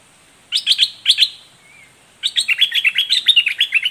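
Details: Red-whiskered bulbul, southern Dok Taeng type, delivering its doubled, fierce song: two short chirp triplets, a pause, then a long busy stream of rapid bubbly notes repeated several times a second.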